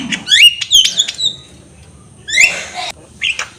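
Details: Javan myna singing in a lively, full-voiced manner, used as a tutor recording for training birds: bursts of harsh squawks and sharp whistled notes that sweep upward, separated by short pauses.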